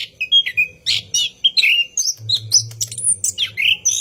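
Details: Caged orange-headed thrush at night delivering its long rolling lure song: sweet mid-high whistled notes, then rising and falling slurred phrases climbing higher, with a faint low hum underneath.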